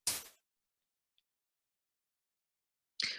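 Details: Two sharp slap-like knocks, one at the start and one at the end, with near silence between them.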